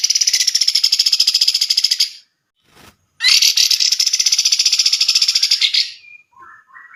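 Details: Grey-cheeked bulbul, a competition songbird used as a tutor for other birds, delivering two long, loud, fast-pulsed buzzy trills with a short gap between them, followed by faint rising whistled notes at the end.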